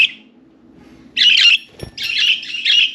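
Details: Caged budgerigars, four birds playing and talking in and on their cage; a brief chirp, then loud scratchy warbled bursts in quick succession, with a soft knock in between.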